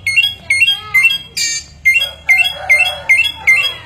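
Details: Chinese hwamei, a bird able to imitate many different sounds, delivering loud, bright repeated phrases: a sharp note with a rising flick, returning about twice a second, broken once by a rough burst, with a low hum underneath.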